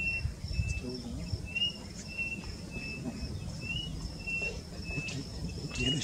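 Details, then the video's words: White-starred robin at the Giraffe Centre in Nairobi, Kenya, singing short, thin whistled notes repeated about every second, over a steady high insect drone and low background rumble. "White-starred Robin singing"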